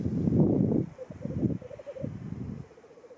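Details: Black grouse at a lek at World's End, Wales, in April 2017, giving a low, dove-like bubbling coo in pulsing bursts, one after another, with faint rustling in the background.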